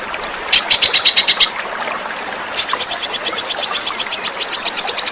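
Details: Small songbird singing a sharp, spicy tutor song for pet birds: a string of quick high pulses, a brief pause and a squeak, then a long, fast, very high buzzing trill.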